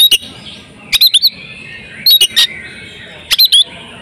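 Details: Female oriental magpie-robin in breeding condition, whose calls draw song from males: three short bursts of clicking chips and brief squeaky notes, each about a second apart, over a soft hiss.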